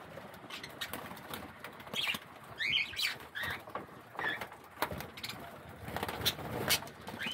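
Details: Parakeets bathing and vying for space give a loose series of brief chirps, some rising, others falling, over steady splashing, fluttering and clicking sounds.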